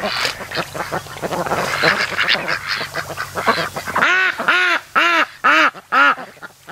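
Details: Loud, evenly spaced nasal quacks, about two per second, from lazy ducks resting at a lake's creek mouth on an afternoon, on day 92 of raising them; softer mixed chatter comes before the quacks.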